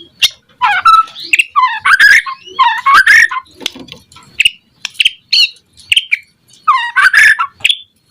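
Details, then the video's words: White-rumped shama song for provoking other shamas: bursts of harsh, buzzy, grating notes mixed with short falling and rising whistles, delivered in phrases with brief gaps. "Suara Murai Batu Gacor Auto RESPON seketika NYAUT Burung Murai cepat Bunyi buat Pancingan agar Gacor"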